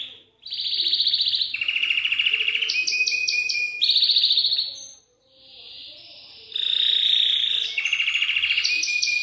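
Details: Belgian canary song used to stimulate young canaries to sing: loud, fast buzzy trills and rolled phrases alternating at high pitch, a short pause midway, then renewed rattling trills and clear whistled notes.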